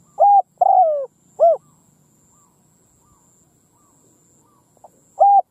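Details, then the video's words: Spotted dove used as a field decoy, calling to attract wild birds: a three-note cooing phrase (short, long falling, short arched), a pause with faint distant coos, then another short loud coo. "Tiếng cu mồi đất gù gáy vang dội cánh đồng / Cu mồi đất gù phóng - Gáy chiêu Bổi giữa cánh đồng"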